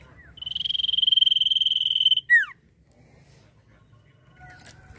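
A sirtu gives a long, high, fast-pulsed buzzy trill lasting nearly two seconds, then two quick down-slurred whistles; faint background hum follows.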